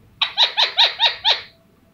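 A rose-ringed parakeet gives six quick, harsh, chattering syllables, each dropping in pitch, about five per second, in a quiet room.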